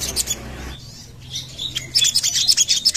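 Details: Sogon lure call: a faint, thin high whistle gives way to a quick sequence of sharp, high chips increasing in loudness.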